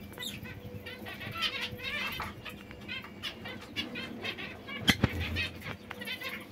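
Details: Young white zebra finches, several birds, giving short nasal harmonic calls in quick irregular bursts over a low background hum, with one sharp louder click near the end.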